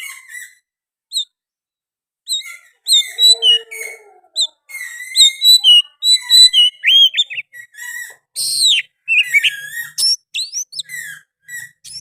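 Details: Oriental magpie-robin in full song, its repertoire including sooty-headed bulbul phrases. Scattered whistles at first, then a dense stream of varied whistled notes, trills and sweeping slurs growing louder toward the end.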